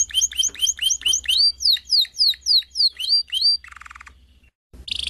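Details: Canary song: a run of ringing downward-sliding whistles repeated about three per second, then a soft low buzzy roll and a brief pause before a new high burst.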